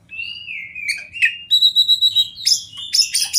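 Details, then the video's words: Oriental magpie-robin, a fighter-type kept songbird, singing clear whistled notes: a long gliding whistle, then a run of repeated high pulsed notes about five per second, ending in loud buzzy mixed phrases; no other sounds. "kacer fighter mania"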